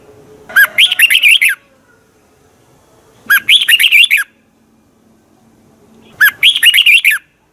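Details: Thai red-whiskered bulbul delivering quick, lively song phrases, three bursts of rolling, warbled whistles, each near a second long, repeated roughly every three seconds against a quiet background.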